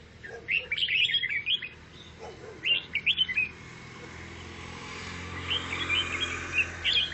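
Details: Chattering 'ngoceh' song of a grey-cheeked bulbul: irregular bursts of fast, gritty, warbling notes with short gaps between them, over a steady low background hum.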